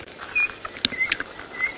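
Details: Chinspot batis giving thin, high, pure whistles, three short notes about half a second apart with a few sharp taps, at sunrise on Jan 19, 2017 in a South African game reserve, where several were chasing each other in trees.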